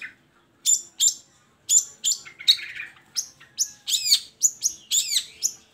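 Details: Song of a long-tailed shrike meant to stir lazy shrikes into singing: a run of sharp, high chirps and squeaky notes, coming faster toward the end, against a quiet background.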